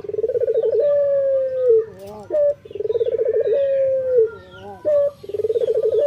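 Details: Male local puter dove repeating its morning song. Twice a rapid pulsed purr swells into a long, level coo that sags slightly in pitch and ends with a short, sharp upturned note, in a steady rhythm.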